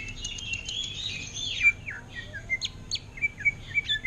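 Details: Greater green leafbird kept in a cage delivers thrush-style ngentrok phrases: a jumble of chirps sliding downward, then short sharp whistled notes spaced roughly a third of a second apart.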